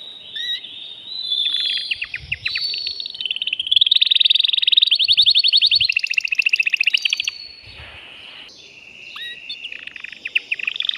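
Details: Male canary singing vigorously in a cage to excite a female for mating: varied phrases of fast rattling trills and steady whistled tones, a loud dense trill mid-phrase, then softer notes.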